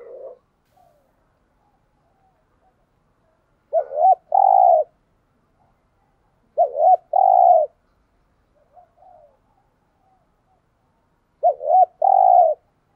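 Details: Decoy spotted dove giving three evenly spaced cooing phrases, about four seconds apart. Each is a quick doubled low hoot followed by a fuller, longer coo, with silence between.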